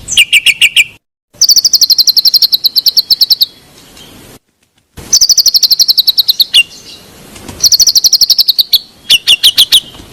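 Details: White-rumped shama song used to stir a reluctant singer: rapid strings of high, piercing repeated notes in bursts, with short silent gaps between them, and brief lower chattering phrases at the start and end.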